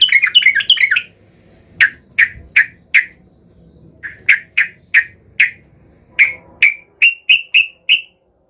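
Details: Sooty-headed bulbul in an agitated state, looking for a rival: a quick burst of clipped notes, then evenly spaced short emphatic calls in groups of three to five, ending with slightly rising notes.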